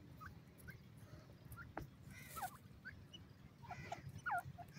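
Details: Young Iranian francolins raised in captivity. Sparse, soft peeps build into a few sharper downward-sliding chirps near the end, with one knock and a continuous low hum underneath.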